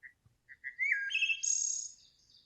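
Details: A Wood Thrush, a bird of Lexington, Kentucky, sings its loud fluty song: a few soft short notes, then a fluty phrase climbing into a high shimmering trill, all within two seconds.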